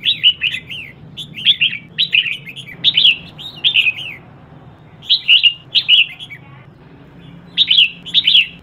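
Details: Red-whiskered bulbul female calling to excite males, giving a quick string of short, bright, slurred whistled notes in clusters, a brief lull, then more bursts; soft low hum behind.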